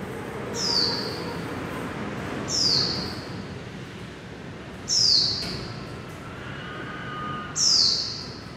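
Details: Trapped in a building at Taipei Artist Village, Taiwan, a Japanese white-eye gives four thin, high, downward-slurred whistles spaced about two to three seconds apart against a steady background hiss.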